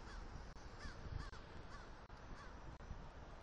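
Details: Eagles calling while a male and new female mate on the attic of their Southwest Florida nest on the morning of 1 October 2023. Several short, down-curving notes in quick succession are half-buried in strong wind noise.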